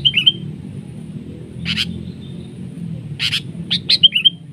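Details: Sooty-headed bulbul fighting a decoy bird during trapping, gripping like an eagle in a trade of attacks; short high twittering chirps open and close the stretch, with sharp broadband snaps in between over a low background hum.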